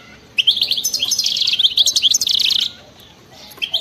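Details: European goldfinch of wild stock pouring out 'batbata' song: a dense, buzzy, high twittering phrase of rapid notes lasting two seconds, followed by quiet and faint chirps.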